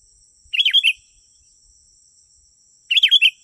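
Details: Sooty-headed bulbul phrase played to draw in wild birds, heard twice about two and a half seconds apart; each a quick run of four liquid, bubbling notes over a constant high-pitched hum.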